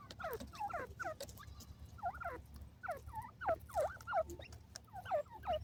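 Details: Grey francolin (desi teetar) kept alongside pigeons: a run of quick, clear, downward-sliding whistled notes, several close together in short bursts, repeated roughly three times a second amid low background rumble.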